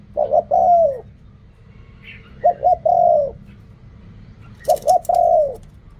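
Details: Spotted dove cooing in the Thai song style called riak kham, khu kham, ok rong: three phrases, each of two short clipped coos followed by a longer mellow coo that falls at the end, separated by pauses.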